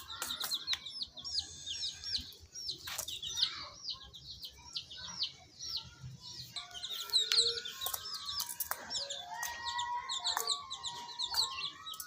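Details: A group of baby chicks peeping, high upslurred chirps repeated quickly and overlapping throughout, with scattered sharp clicks and knocks.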